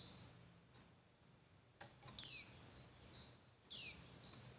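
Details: High, thin, downslurred calls of a female Javan white-eye, meant to stir males into persistent singing: two strong piercing notes about one and a half seconds apart, each trailing off, with a weaker note between and silence otherwise.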